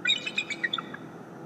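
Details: Morning greeting from a bald eagle at the nest, recorded by a live nest camera: a quick run of high, thin piping notes stepping downward in pitch, about eight notes in one second, over faint background hum.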